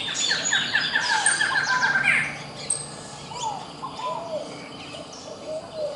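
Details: Courting pair of scaled doves calling: after a burst of busy chirping from other birds, soft low arched coos repeat in short groups through the second half, with faint high bird twitters in the background.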